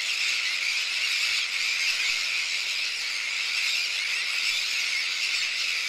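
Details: Large breeding colony of Sandwich terns on a shell bank, with brooding adults, chicks of varying ages and some adults carrying fish. A dense, continuous chorus of high, harsh calls from many birds, with no pauses.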